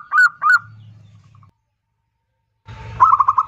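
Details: Local zebra dove in loud kerot nguwor style, a lure for other doves to sing: two short sharp coos, silence, then a burst of quick stuttering notes over low background rumble.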